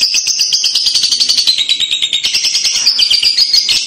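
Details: Lovebird kekek song used as a prompt for a young bird, a continuous shrill, rapid chattering twitter with squeaky, slightly wavering high notes throughout.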